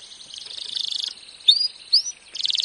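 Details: Canary training song: a fast buzzy trill, then two rising whistled notes, then another rapid high trill.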